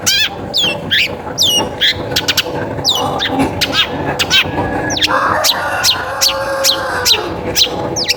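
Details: Long-tailed shrike giving a lure song to encourage other shrikes to sing: a series of sliding high whistles and chirps, some harsher lower notes in the middle, over a steady hum.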